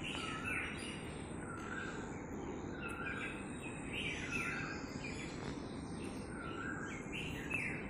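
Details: Common myna calling outdoors: short squeaky, slightly rising notes repeated every second or so at mid-high pitch, partly masked by steady broadband background noise.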